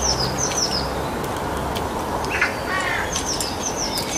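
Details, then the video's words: Common starling song of thin high whistles and a harsh, buzzy rattle in the middle, over steady background hiss. "Common Starling Songbirds, Songs Birds"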